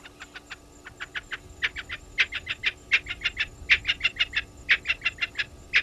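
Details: Spurfowls at Gowrie dam, a waterhole in Djuma Game Reserve, Sabi Sand, South Africa: a long chattering series of harsh cackles, about three a second, swelling in volume, over a faint steady hum.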